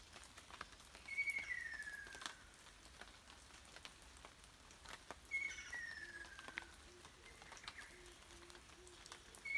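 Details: Ruddy kingfisher, heard but unseen in woodland during rain in 2019, gives two falling, fluty trills about four seconds apart over steady rain patter, with a faint low hum in the background.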